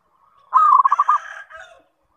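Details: Lure song of a zebra dove (perkutut), meant to prompt other zebra doves to reply: a long steady coo breaking into several rapid pulsed notes, trailing off into a softer rough tail.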